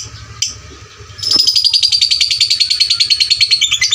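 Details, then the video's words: Lovebird song used as a loud lure for fighter lovebird training: a faint click, a brief squeak, then a long rapid high trill of regular pulses that sinks gradually in pitch, over a low hum. "pancingan LB FIGHTER volume suara kerasnya paling gesit ciptakan lovebird fighter juara"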